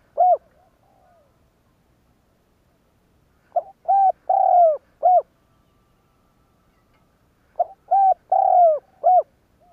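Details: Spotted dove cooing to urge other doves to call back: a closing coo, then two full phrases about four seconds apart, each a small lead note, soft round coos and a long falling note, quiet surroundings.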